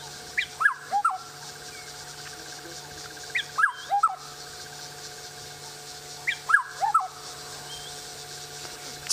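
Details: Black-headed oriole calling from up in a tree, recorded on October 28, 2016: short liquid whistled phrases of a few descending notes, repeated about every three seconds, over a steady background hum and hiss.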